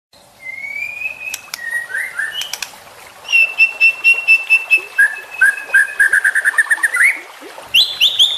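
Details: Juvenile white-rumped shama singing in a tutoring recording for training birds: clear sustained whistles at shifting pitches, then a fast run of about fifteen sharp repeated notes and a high squeaky phrase at the end.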